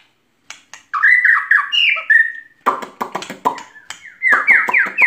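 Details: White-rumped shama delivering a string of repeated falling whistles, then a run of harsh buzzy rattling notes and a series of rising whistled slurs.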